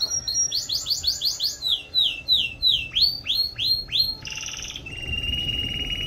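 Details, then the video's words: Canary singing in a series of rapid repeated tours: high bright notes rolled in quick bursts, then a run of sweeping down-slurred whistles about two per second, ending in a dry buzzy trill and a steady high note. "Canary Bird Song"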